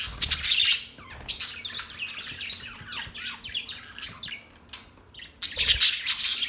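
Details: Parrots chirping in a relaxing recording: dense bursts of high, scratchy chirps and short squawks, loudest at the start and again near the end, with a quieter chattering stretch between.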